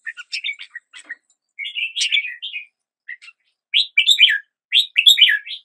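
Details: Red-whiskered bulbul singing short bursts of bright, warbled chirping notes in separate phrases about a second apart, the later phrases louder and fuller, with quiet gaps and no other sounds.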